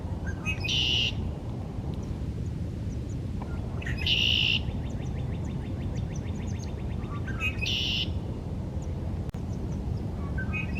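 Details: A Red-winged Blackbird near a pond at Iroquois Park gives a buzzy, harsh burst every three to four seconds, with a fainter rattling trill between, on a cloudy, rainy March morning with steady low wind and rain rumble.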